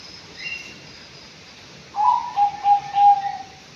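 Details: A five-month-old Anggungan in captivity gives a run of five hollow, evenly spaced mellow hoots, slightly falling in pitch, after a quiet start with faint high chirps.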